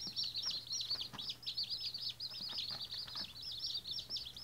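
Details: White Australorp chicks on their first day, a brood peeping constantly: dense, high, shrill chirps overlapping in rapid bursts, each note a quick rising-then-falling sliver, with no other clear sounds.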